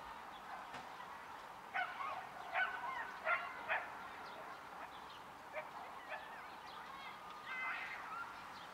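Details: Hooded crow uttering a quick run of four hoarse, grating caws about half a second apart, followed by a few softer, scattered calls; faint whistles of other birds in the background.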